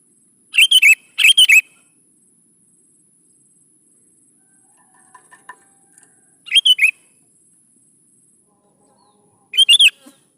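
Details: Sooty-headed bulbul song, played as a lure for young bulbuls: two rapid bubbly phrases back to back, a soft scatter of clicks, then two more lone phrases spaced several seconds apart.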